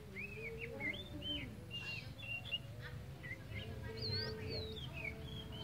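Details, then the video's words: Tame Oriental magpie-robin of the kacer poci type, singing actively: short clear whistled notes and upslurs between about 2 and 4k, spaced irregularly, over a low steady hum with faint lower tonal sounds. "KACER POCI JINAK GACOR"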